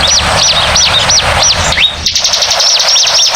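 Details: Bar-winged prinia song played as a lure, noisy in character: quick high arched chirps in a fast series, overlapping one another, with a short cut partway through followed by fainter chirping.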